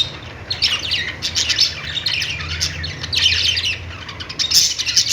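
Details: Budgerigars chirping: dense overlapping chatter from several birds, squeaky warbles and sharp chirps in bursts, with a low steady hum underneath.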